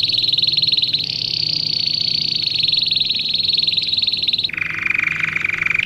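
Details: Long rolling canary song intended for young birds in training: a sustained high, rapid trill continues for over four seconds before dropping suddenly to a lower, fuller buzzing trill; a steady faint hum lies underneath.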